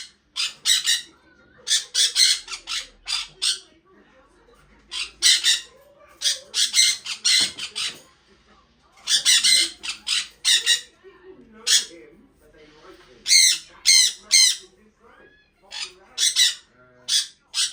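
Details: A pet red-factor sun conure gives loud, harsh, high chirps in quick bursts, repeated every second or so.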